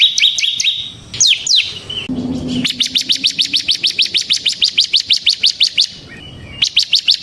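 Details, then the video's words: Semi-type bar-winged prinia in full, nonstop song, used as a lure and tutor for other prinias: fast runs of sharp, high downslurred notes, several quick chips, then a long steady train of about twenty evenly spaced ticking notes. "suara burung CIBLEK SEMI GACOR Ngebren Ampuh untuk Pancingan Ciblek Kristal dan Masteran Ciblek"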